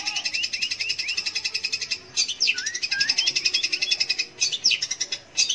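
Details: Long-tailed shrike song to draw out young or silent shrikes: rapid metallic ticking with brief whistled upslurs, a short pause, then more rolling chatter and two lower rising whistles.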